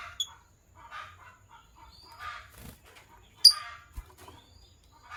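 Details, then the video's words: Morning chirping from pet lovebirds, Sky Blue Opaline and Green Opaline: scattered scratchy chirps and brief high squeaks with sharp clicks between them, one loud piercing note near the middle. "Lovebirds Chirping Sounds"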